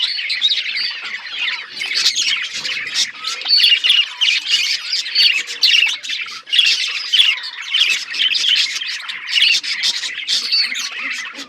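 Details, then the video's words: Budgies singing and chattering, a continuous buzzy, grating warble of many overlapping squawks and chirps from several birds. "Budgies bird talking sounds | Birds chirping sounds"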